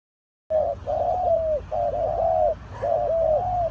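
A spotted dove gives three soft, hollow cooing phrases, each about a second long, with rolling, slightly wavering notes repeated with barely a pause.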